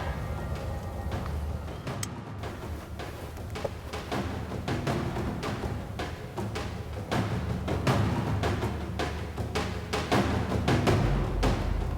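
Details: Deep, rolling drum strikes and timpani beats drive a piece of music throughout. No animal sound is present.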